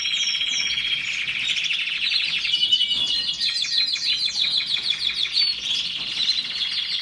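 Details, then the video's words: Loud canary song of rapid chattering trills and descending slurred notes, rising and falling in pitch across several connected phrases, rhythmic pulses clear throughout. "Canary song تغريد الكناري کەناری"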